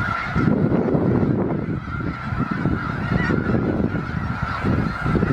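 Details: Snow goose flock in winter, Skagit County, Washington: loud, crowded chorus of overlapping honks with no gaps, plus heavy low rumbling noise beneath.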